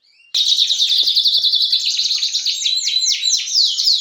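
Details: Loud canary song bursting in after a quiet start: a long dense rolling trill at high pitch, closing with several broad downward swoops.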